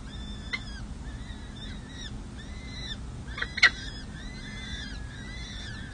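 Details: Peregrine falcon chicks, four of them about a week old, calling during feeding at a San Jose city hall nest in May 2024: repeated arched whining notes, two sharp clicks, and a steady low hum.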